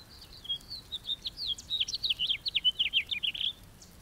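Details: Long house finch song of about three and a half seconds. A string of quick, descending chirps and twittered notes runs along, finishing with a short buzzy note. Faint background hiss.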